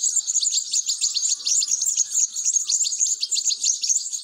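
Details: European goldfinch chicks begging while being fed: a dense, continuous chorus of thin, high, rapidly repeated chirps and squeaks, pulsing several times a second without pause.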